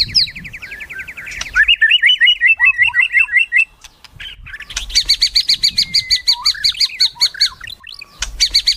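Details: White-rumped shama, a kept songbird, in a varied song of fast rattling trills and repeated chirping notes, a short pause, then a long run of rapid high pulsed notes.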